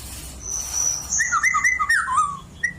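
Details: Caged oriental magpie-robin that lived near a white-rumped shama as a juvenile and now sings shama-like phrases: a thin high whistle, then a run of varied clear whistled notes, some falling and slurred, ending in a short chirp.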